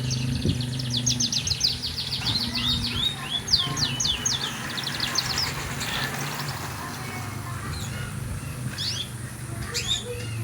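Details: Canary giving rapid, high, buzzy trills repeated in quick bursts, then sparser scattered notes over a steady low hum.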